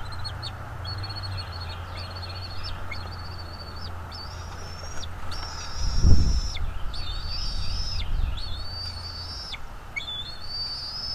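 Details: Bald eagle at the nest, caught by a nest camera on 23 April 2021 at 07:25: long, thin, high whistled notes held level for about a second each, several ending in a sharp downward drop, repeated steadily over a low rumble and a soft thud.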